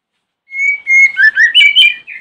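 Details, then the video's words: Morning song of a white-rumped shama, used to lure other shamas into replying: a steady whistled opening note followed by rapid varied upslurred whistles, ending with a short separate chirp. "Pancingan murai Batu Pagi hari | bikin murai manapun langsung nyahut"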